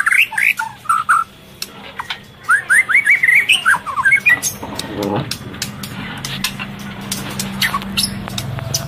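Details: White-rumped shama female in breeding condition while feeding its chick, luring males: short bursts of fast warbled, zigzag notes during the first half, followed by clicks and low background noise.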